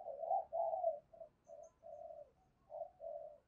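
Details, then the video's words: Fighting call of a decoy spotted dove, quieter and more distant, a series of mellow cooing notes of varying length over a low rumbling background. "Tiếng chim cu gay mồi thúc đấu cực đỉnh"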